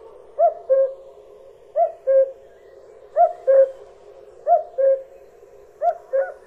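A common cuckoo gives its familiar two-note 'cu-coo', the second note lower, repeated five times about every second and a half over a quiet background.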